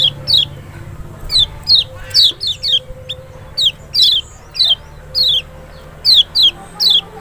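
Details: Lemon-bellied white-eye, Lombok or Sumbawa kecial, played to make an unresponsive bird answer: a dense series of quick, high, falling notes, often in pairs, about fifteen in seven seconds, over low background hum.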